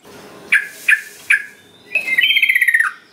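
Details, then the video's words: Sooty-headed bulbul lure recording for prompting other birds to sing: three short sharp chirps about half a second apart, followed by a quick pulsed trill that drops at its end. "Pancingan Trucukan Biar Gacor .Trucuk Malas Bunyi Jadi Ikut Ikutan Bunyi"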